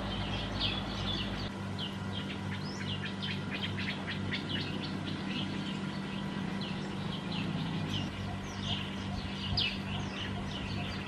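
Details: Black-headed bulbul in Phetchaburi, Thailand, recorded December 2020; a lively stretch of rapid overlapping chirps and short whistles, briefly pausing midway, accompanied by a low continuous hum.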